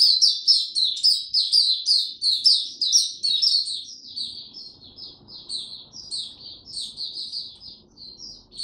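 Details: Singing white-eye, recorded 26 March 2022 in warm and very humid conditions. It gives a lively, fast, high-pitched chattering warble of many quick notes about two per second, loudest at the start, then slightly softer and more spaced.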